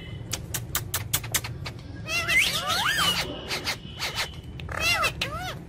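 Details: Pet ring-necked parakeet, described as a talking parrot, giving a run of sharp clicks followed by a mix of harmonic, curving squawks and chatter, with more clicks and arched notes near the end over a low indoor hum.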